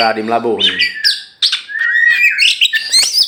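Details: Champion oriental magpie-robin, a tame kacer from Meulaboh in Aceh, let loose outside its cage: a low harsh nasal note opens, followed by a rapid jumble of sweeping whistles, chips and twittering phrases.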